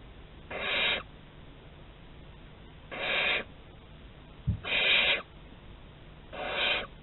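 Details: Four rasping, noisy hisses from a barn owl exploring a corridor at Théding on 11 August 2020, spaced about two seconds apart, with a dull knock just before the third and faint background hum.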